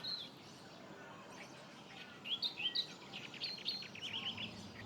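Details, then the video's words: Australian reed warblers, hidden in reed beds at Sandy Camp Rd Wetlands, Wynnum West, southeast Queensland, give quick, rich, repeated 'chicky, chicky' chirps over a steady wash of wetland background noise. "Can you hear that? Chicky, chicky, chicky. Those are Australian reed warblers."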